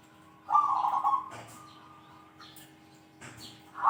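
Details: Zebra dove with a powerful 'kung' call, used to challenge rivals: a short vibrating, rolling coo, a faint thin tone, light clicking, and another coo starting at the end.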